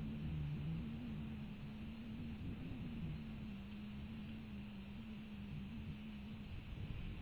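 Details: Steady low mechanical hum with a faint drifting tone and broadband background noise, and no animal voice.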